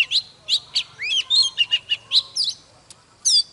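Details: Fired-up morning song of a mature wild-caught Oriental magpie-robin: clear whistled notes repeated in a lively run, slurred phrases, a short pause, then a final bright burst.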